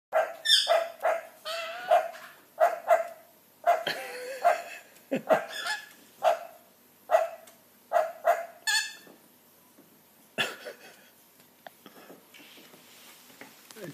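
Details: Rainbow lorikeet imitating a dog's bark: short harsh barking calls repeated about every half second to one second for ten seconds, then a few fainter scratchy sounds in a quiet room.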